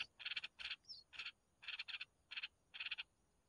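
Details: Red-whiskered bulbul nestlings while the mother brings food: clusters of two or three raspy, buzzy pulses repeated about every half second, six bursts in all, with one faint high chirp.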